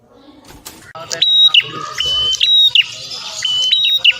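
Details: Prinia of the Cililin type, kept as a master recording for teaching songbirds song variations: clear whistled notes holding steady, then stepping down, repeated in short phrases, with some murmuring noise at the start.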